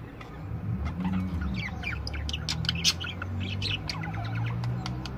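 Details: Several budgerigars singing together: many quick chirps and short squeaky notes overlap in a steady stream, over a constant low hum in the background.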